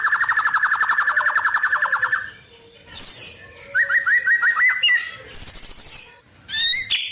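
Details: White-rumped shama delivering a song rich in wild-bird material: a long, even rattling trill, a pause, then bursts of high squeaky notes and short rising whistled phrases.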